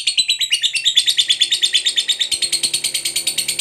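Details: Fighter lovebird delivering a long 'ngekek panjang' chatter intended to provoke other lovebirds to answer: quick, regular, high buzzy notes about six per second, pitch stepping up midway.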